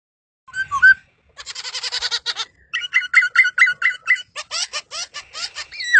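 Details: Laughingthrush singing, described as very melodious: a short whistled phrase, then a rapid series of harsh buzzy notes, then repeated slurred whistles and sharp clipped notes.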